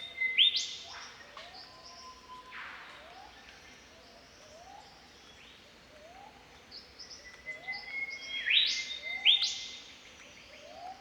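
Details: Australian Golden Whistler (Pachycephala pectoralis) singing in spring in the bush: two loud phrases of rich whistles that climb and end in sharp whipcrack-like upswept notes, softer chirps from other birds repeating quietly behind.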